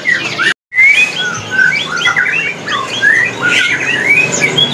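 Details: Young (teenage) white-rumped shama, a home singer at a bird market in Jakarta, pouring out a quick, varied string of clear whistles, rising slides and sharp chips over the busy chatter of other caged birds.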